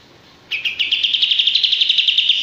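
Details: Male olive-winged bulbul singing a rapid, evenly pulsed high trill of repeated chirping notes that starts abruptly and holds steady for about two seconds.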